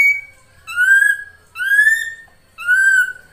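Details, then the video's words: Actively singing Ashy drongo, locally srigunting krantil saeran, giving three long, clear whistled notes, each swelling and gently arching in pitch, spaced about a second apart with a faint low hum beneath. "SRIGUNTING KRANTIL SAERAN GUNTING GACOR"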